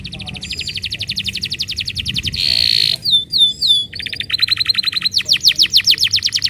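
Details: Canary singing to encourage a quiet canary to start: a long rapid trill, a harsh buzzy burst, a few swooping whistles, then more fast trills, each phrase sharply different in pitch and speed.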